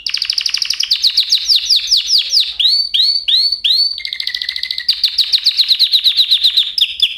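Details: Canary singing a varied sequence of fast trills, then a run of slurred swooping whistles, a brief low steady tone, and further rapid rolling trills to finish; clean recording without background noise.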